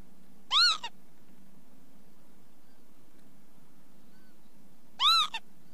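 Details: Two arched, slurred calls from a Northern lapwing about four and a half seconds apart, each rising then falling with a brief clipped note after it; low background hum between calls.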